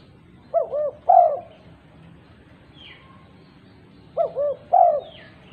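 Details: A female spotted dove calls other doves in two phrases, each two short arched coos and a louder drawn-out coo, with faint downslurred chirps from other birds between them.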